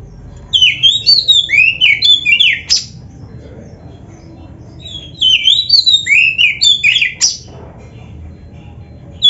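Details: Oriental magpie-robin (kacer) in energetic full-isian singing, used as a training recording for caged birds: two bouts of rapid, varied whistled phrases with sweeping slurs and sharp high notes, separated by a quiet pause with a low background hum.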